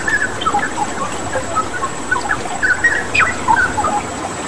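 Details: Cucak rawa, the straw-headed bulbul, in lively song: scattered liquid whistles and quick slurred notes with uneven spacing, over continuous flowing-water noise and a faint high steady hum.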